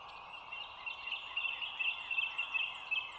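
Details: Bald eagle at the Dulles Greenway eagle nest, overhead camera, morning of 25 March 2022 at 07:16; a quick series of high, thin chittering notes builds in the second half over a steady background hiss, with faint higher bird chirps.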